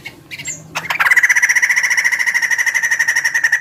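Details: Big-bodied bird with a chicken-like voice: after a brief high whistle, it breaks into a loud, fast, even rattling trill that continues to the end.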